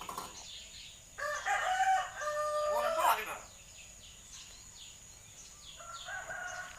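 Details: Hill myna chattering like a person, with strong nasal voice-like notes and a rising squeaky slur, followed by quieter faint phrases.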